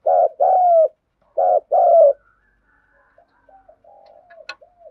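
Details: Spotted dove, 'thúc gù' coo. Two low, throaty two-part coos, then quieter soft murmuring notes and a brief click.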